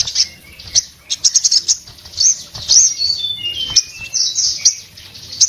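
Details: Breeding-condition orange-headed thrush pouring out a busy, high, scratchy song of quick twittering notes and brief descending whistles, uneven bursts with no pauses longer than a beat.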